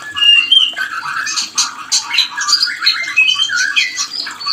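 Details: White-rumped shama mating call used to revive breeding desire; a dense chorus of varied whistled notes, sharp chips and harsh squawks, continuous and fast-paced, with a soft low hum behind.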